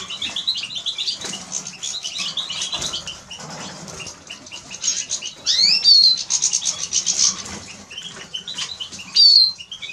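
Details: ['Eurasian siskin (Spinus spinus) song: a fast, high twittering chatter with two sharp, drawn-out descending whistles near the end, set against a soft low background hum.']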